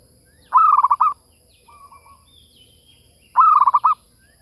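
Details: Lure call of a zebra dove: two bursts of fast, evenly pulsed cooing about three seconds apart, with a weak, low murmur of notes in the gap and an otherwise quiet background.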